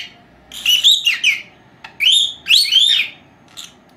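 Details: Pair of pet female lovebirds, four months old, napping indoors and known to whistle; wavering whistled phrases that rise and fall, in two main bursts with a brief click between.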